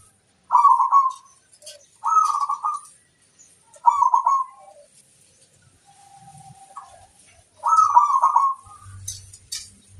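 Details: Local zebra dove singing a luring song meant to draw wild birds and make them answer: four rapid, bubbling cooed trills, each about half a second long, spaced roughly two seconds apart, with a faint quieter coo between them.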